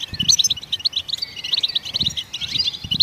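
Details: Goldfinch song meant to prompt other songbirds into singing: rapid, bright twittering chirps in an unbroken, jingling stream, with soft low knocks in the background.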